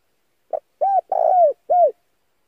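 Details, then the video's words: A male spotted dove coos as a lure for wild birds, a single clipped note leading into three smooth mid-pitched coos, the middle one longest and sliding down, over a silent background. "pancingan suara burung tekukur jantan"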